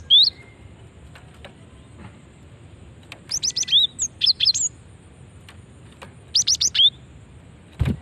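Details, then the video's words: Lure call of a female cinereous tit, said to get quick answers from other tits; a single whistle, then chirp bursts with falling whistles, repeated about every three seconds, and a closing thump. "Ampuh memancing bunyi gelatik batu betina ini"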